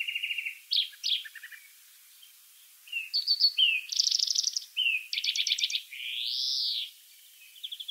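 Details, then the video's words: European greenfinch recorded in the wild, giving short rattled trills and twitters separated by pauses, then a drawn-out nasal, wheezing note that rises and falls, before a final brief trill. "chant et cri du verdier / song & call of greenfinch"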